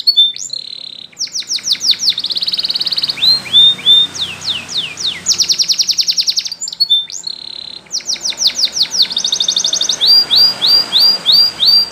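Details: Spanish Timbrado canary training song with varied phrases: quick chips, steady buzzy trills, slurred falling notes and repeated high rolls, over a noticeable hiss of background noise.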